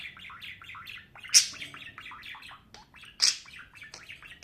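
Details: Budgerigar chattering: quick run of warbled, buzzy chirps with two brief louder squawks standing out, steady high-pitched twittering throughout.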